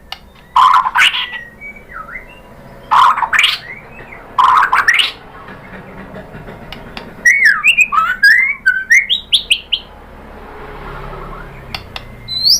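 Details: Murai batu, or white-rumped shama, singing a lure used to make a caged shama answer: loud clicking bursts with slurred whistles, then a quicker run of looping whistled notes, over a low background hum.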